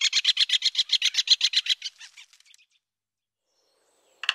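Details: Great spotted woodpecker giving a rapid string of sharp, harsh notes, about four per second, that weakens and fades after roughly two seconds, then silence.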